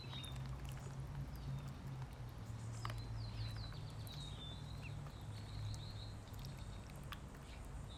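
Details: While being fed, ducklings give a burst of short high peeps, several falling and some rising, clustered in the middle seconds. A constant low background rumble and occasional clicks run underneath.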